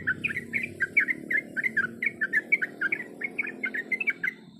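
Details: Female sooty-headed bulbul calling to attract a male; a steady series of quick paired whistled notes, slurring downward then up, repeated roughly three per second, against a constant low background hum.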